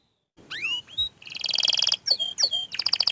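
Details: Orange frost canary song: after a short silence, curving whistled slurs, a buzzy chattering rattle, then more swooping slurs and a quick pulsed trill.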